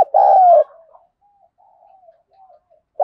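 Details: Spotted dove cooing to provoke a fighting contest, a bird with a 'thổ' voice style. One loud, low, hoarse coo is followed by faint trailing coos, then a further coo begins at the end.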